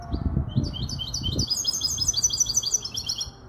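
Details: Five-month-old hybrid goldfinch out of a Malaga hen, recorded in Casablanca, delivers quick strings of high, sliding chirps running into a trilled twitter, with low murmuring background noise.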